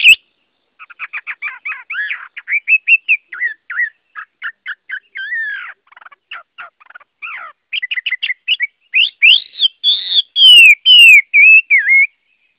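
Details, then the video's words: Chinese hwamei (Garrulax canorus) in full song: long varied run of rapid clipped notes and trills, building to loud ringing down-slurred whistles repeated near the end. "Tiếng Họa Mi hót | The sound of the bird Garrulax canorus"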